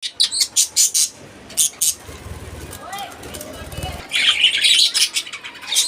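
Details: Pet budgerigars in the evening, around sunset, chirp in quick, bright bursts of scratchy, high-pitched notes.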